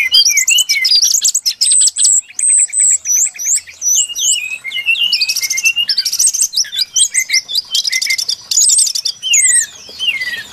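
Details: Brown-chested jungle flycatcher song used to lure birds into traps: bright looping whistles alternating with fast buzzy rattles, delivered in bursts with short pauses, loud and clear against a quiet background.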